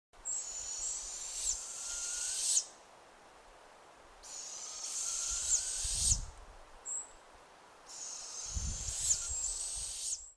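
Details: A nocturnal owl gives long, harsh, hissing screeches, each lasting over two seconds, three times in ten seconds, with faint low rumbling between.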